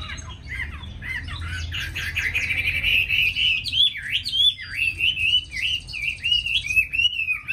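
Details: Tame Chinese hwamei in Hanoi, Vietnam, singing a long rich phrase; rapid warbled notes build into loud wavering whistles that rise and fall in quick succession.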